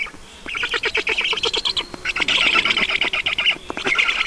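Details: Black storks at the nest, Estonia, 5 June 2019, 20:28, while water is brought; starts quiet, then staccato squeaks in a quick regular series, swelling into a continuous raspy squeal.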